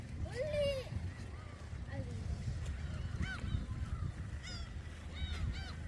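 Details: Gulls at Dolmeori Beach in Hampyeong, Korea, gathering as a man feeds them shrimp snacks: a few arched, mewing cries, one louder near the start and fainter ones later, over strong low rumbling background noise and occasional voices.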